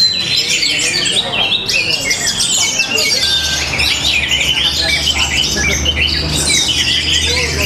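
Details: Contest orange-headed thrush, caged, in Tabanan, Bali, singing a forceful jumble of high chirps, squeaks and fluty slurs, densely packed and unbroken, with faint low background hum.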